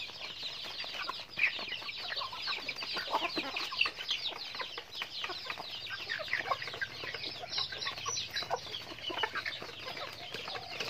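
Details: A flock of chickens during daily activity, with continuous high, overlapping chirping and peeping from many birds and brief louder clucks breaking through at intervals.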